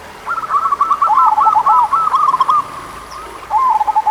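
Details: Local zebra dove song to rouse slow-singing doves: a long, loud run of rapid rolling coo notes lasting over two seconds, a short pause, then another bubbling phrase beginning.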